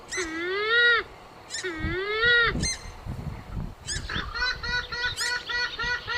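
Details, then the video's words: Purple swamphen call used as a hunting lure: loud, nasal, trumpeting wails that bend upward, two long ones, then a run of shorter honking notes about twice a second. "SUARA PIKAT BURUNG MANDAR BIRU"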